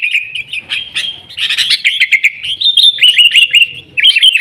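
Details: Sooty-headed bulbul in a short, energetic burst of song used as a lure for caged kutilang; quick chirps swell into a loud jumble, then a run of repeated falling notes.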